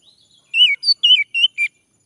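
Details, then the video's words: Male orange-headed thrush song meant to prompt another bird to sing: five clear, high whistled notes, some rising and falling, delivered in a quick broken run lasting about a second. "Anis merah jantan, agar bunyi"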